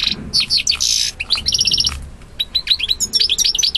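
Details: Male European goldfinch singing to a female, who accepts him; loud fast twittering with buzzy nasal bursts and trilled runs of rapid notes, continuous and energetic throughout.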